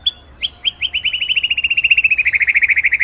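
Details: White-rumped shama (murai batu) in ngerol nembak style: a few spaced whistled notes speeding into a fast, steady, rattling trill of bright repeated notes that drops slightly in pitch.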